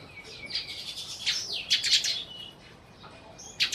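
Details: Sparrow in Burma giving loud, clear chirps: sliding, warbled notes rising and falling over about two seconds, then a pause and a final sharp chirp.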